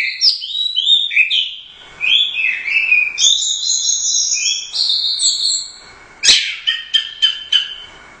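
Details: Orange-headed thrush that won first at the Royal Cup, 'gacor teler doyong' singing: flowing series of high whistled and slurred phrases, then a sharp click followed by quick repeated bright notes.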